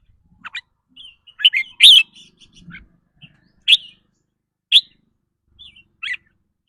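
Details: Red-whiskered bulbul uttering rapid 'rik' calls whose style depends on its mood each day: a cluster of bright chirps early on, then single sharp high notes spaced about one second apart.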